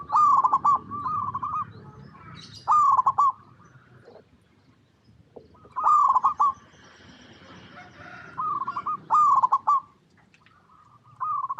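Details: Local zebra dove song for luring other zebra doves into singing; short loud bursts of rapid stuttered coos in pairs, separated by quieter gaps with faint background noise.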